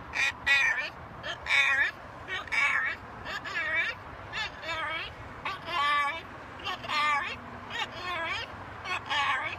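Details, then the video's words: Pet talking macaw hanging out on a home balcony, uttering a run of raspy, speech-like syllables with wavering pitch, in short phrases about one second apart. "Our talking Macaw"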